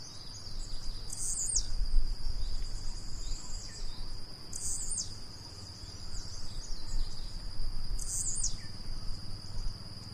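A blue-black grassquit gives a brief, high buzzy note about every three and a half seconds, over a steady insect drone and low rumble.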